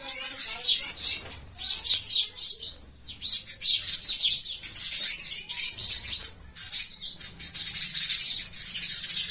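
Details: Sparrows, called pichuka locally, fighting: dense overlapping sharp chirps and chatter, bursts repeating with brief pauses throughout, several birds calling at once.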